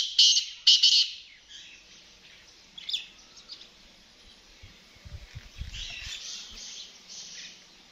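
A black francolin opens with two loud, harsh, grating bursts, followed by fainter scratchy notes and a few low thumps.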